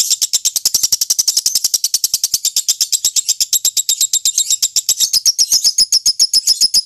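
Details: Lovebird singing the long chattering song prized in singing contests, an unbroken fast series of high sharp notes about four per second, loud and clear.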